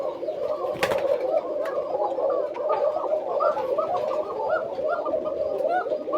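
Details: At a Koka pigeon farm in Bangladesh, several Koka pigeons bred for thin voices coo at once in a continuous chorus of soft, rapidly repeated, thin, high-pitched coos, with a faint roomy echo.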